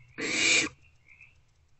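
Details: Barn owlet in nest box C at night, 2 March 2024, after 1:28 am: a single loud, rasping hiss lasting about half a second, then a faint high tone.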